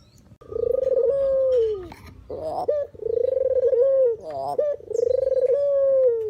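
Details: Spotted dove (burung puter/deruk), natural call used as lure for trapping: long, mellow coos held steady, each one dipping at its end, repeated with short, harsh warbled breaks between them.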